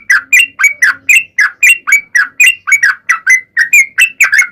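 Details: Quick-fire 'ropel' song of a Sooty-headed bulbul meant to draw other bulbuls into singing: evenly spaced, bright rising-then-falling notes, about four each second.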